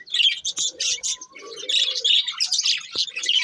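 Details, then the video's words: Budgerigar breeding pair in lively chatter: quick bright chirps and scratchy warbled phrases packed closely together, with a brief soft lower murmur in the middle. "Cute Budgies Chirping Sounds"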